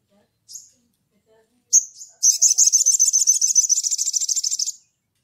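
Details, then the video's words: Ruby-cheeked sunbird (sogon) singing in 'ngleper' style to call a rival: two thin high chips, then a long rapid chattering trill of some two and a half seconds, steady and buzzy, with near silence around it. "SOGON GACOR NGLEPER MEMANGGIL LAWAN"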